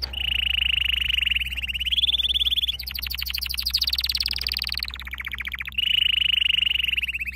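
A canary sings long, fast rolling trills, high and bright, switching to a new tour every second or two, over a faint low hum.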